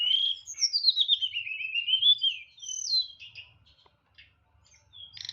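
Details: White-rumped shama kept in a cage, singing a long descending whistled phrase that wavers downward, then a brief rising whistle and scattered soft chips before falling quiet.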